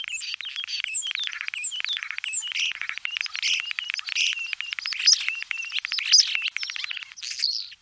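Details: Common starling singing, Wittlich, Germany, 2017: a dense, continuous warble of rapid clicks, rattles and short slurred whistles, with sharper high squeaks scattered throughout and no pause for eight seconds.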